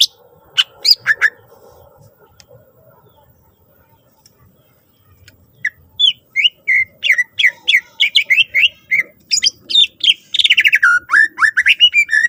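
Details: Varied greater green leafbird song meant to prompt other leafbirds to sing. A quiet stretch with odd chips leads into a fast, steady stream of whistled slurs and chattering notes that turns into a rapid, buzzy trill at the end.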